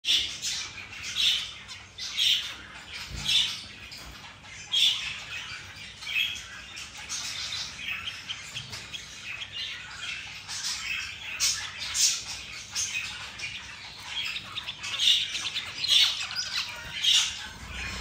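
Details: Zebra finches in the morning give nasal, buzzy notes and short squeaky phrases, repeated about once a second.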